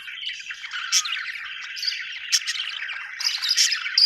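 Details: Budgie chatter from an Australian bird: a steady stream of scratchy warbled chirps broken by sharp, high squeaks near one, two and a half, and three and a half seconds.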